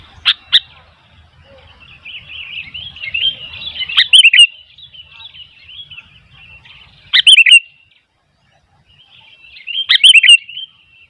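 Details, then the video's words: Sooty-headed bulbul singing while wild bulbuls respond; a pair of sharp opening notes, a long soft warbled chatter, and loud bursts of bubbly descending chirps repeated about every three seconds. "Burung kutilang gacor ..sampai kutilang liar jadi ramai"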